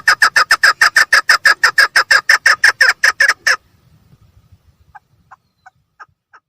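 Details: Loud, fast train of harsh clucking notes from a female chukar partridge for over three seconds, followed by silence with a few faint distant notes.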